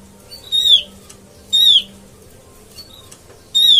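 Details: Oriental white-eye lure sound for catching birds: three loud, nasal, falling calls plus one starting at the end, spaced about a second apart, over a faint low hum.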